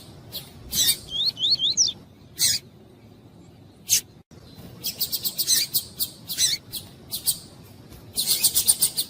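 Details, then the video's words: Double-collared seedeater singing in the tuí-tuí style, together with a calling female, used to warm up a male's singing: harsh high buzzy bursts, then a run of quick wavy whistled notes, a pause, and more rapid raspy buzzes. "ESQUENTAR COLEIRO TUÍ-TUÍ COM COLEIRO TUÍ-TUÍ E FÊMEA CHAMNDO ESQUENTAR"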